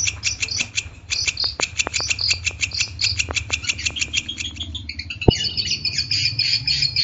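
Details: Long-tailed shrike song for training caged birds: quick, harsh chattering notes mixed with sharp whistled accents, a loud click near the five-second mark, then a denser, higher twittering stretch to the end.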